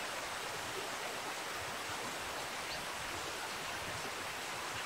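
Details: Steady rushing of flowing water, like a stream, fills the whole recording with no animal call standing out.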